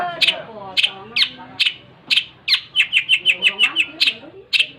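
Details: Long-tailed shrike singing energetically, starting with spaced sharp, clicking chips, then breaking into a rapid run of about ten quick harsh notes before a final chip, over a soft low murmur.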